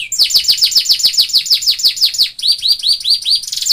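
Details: Canary singing a masteran kenari isian training song: a rapid run of high, downward-sweeping whistled notes, about five per second, then a slower set of rising slurred notes.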